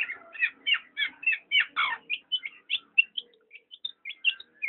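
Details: Black-naped oriole opening with loud, broad buzzy notes about two per second, then softer clear high chips spaced out toward the end, with a faint low murmur beneath.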